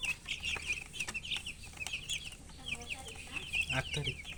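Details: Baby chickens, colored chicks, peeping from thirst for water; dense, continuous chorus of shrill downward-slurred peeps from several birds, with faint low hum underneath.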